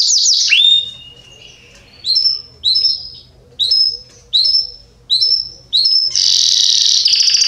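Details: Belgian canary singing strongly, a bird valued for teaching young birds their song. High, clear whistled notes are given singly with pauses between, then a loud, buzzy rolling burst near the end.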